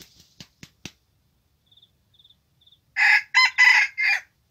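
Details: Young red junglefowl cock used as a trapping decoy, out for its first training session, gives a four-part crow: broken harsh bursts, the third longest, after soft tapping sounds and faint high chirps.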